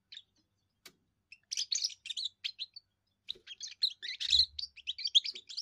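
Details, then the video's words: First song of a young European goldfinch, sung to hold territory and win females: a few sparse chirps, then a dense run of fast liquid twitters and buzzy trills, with a faint low thump near the end. "first song of a young goldfinch amazing wonderful singing"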